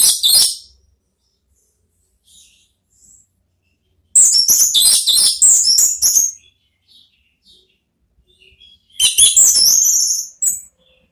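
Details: Orange-headed thrush, ngeplong-style therapy song meant to lure another thrush into answering: loud bursts of rapid, rich high notes at the start, middle and end, separated by near silence with a few faint chirps.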